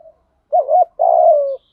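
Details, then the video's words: A lure spotted dove calling to attract wild birds gives a short wavering two-part note, a brief pause, then a drawn-out throaty coo falling slightly in pitch. No other sounds are heard. "Chim Cu Mồi thúc & gáy gọi bổi mới"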